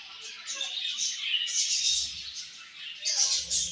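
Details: Budgerigars in a colony at morning feeding time, a dense overlapping chatter of high chirps and warbles from many birds, continuous throughout with brief louder bursts, faint low hum beneath.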